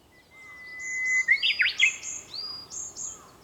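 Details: At sunrise, early morning of 4 May 2021, a Japanese bush warbler holds a long, steady whistle that swells, then breaks into a quick falling flourish; thin high chirps of other birds run behind.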